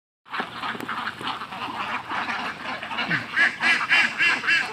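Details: Khaki Campbell ducks on a duck farm in Muktagacha, Mymensingh, Bangladesh, quacking in a dense, overlapping chorus, harsh nasal calls tumbling over one another about three or four times a second.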